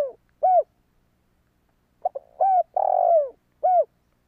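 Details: Spotted dove cooing to lure wild doves: a lone arched coo, a pause, then a phrase of stuttered notes, an arched coo, a long falling drawn coo and a final rounded coo.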